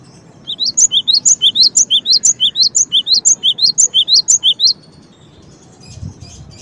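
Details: Rapid ringing phrases from a cinereous tit run for about four seconds: a low note and a higher upslurred note repeated over and over, then the bird falls silent and faint noise remains.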